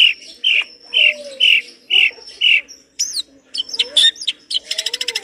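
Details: Long-tailed shrike in full song with rich mimicked phrases. Six harsh, evenly spaced rasping notes open the clip, followed by sharp whistles, squeaky notes and a fast rattling trill at the end.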